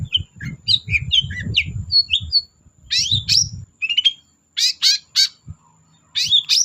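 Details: Long-tailed shrike singing to lure silent shrikes: varied chattering phrases of squeaky chirps and short whistles, then harsh buzzy bursts repeated in quick groups, with low thumping noise under the first half.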